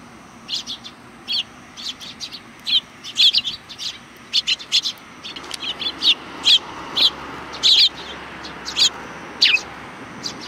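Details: Several sparrows chirping at a Tenmangu shrine, July 2020, seemingly welcoming a visitor: a lively, dense run of bright, short chirps repeating many times over ten seconds, a few notes sliding downward, with a soft background murmur.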